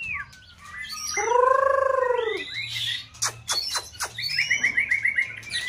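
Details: Varied song of a white-rumped shama in peak season, played to stimulate another bird: a loud, sustained rich note bending up and down, then crisp clicks, and a quick series of repeated high chipping notes.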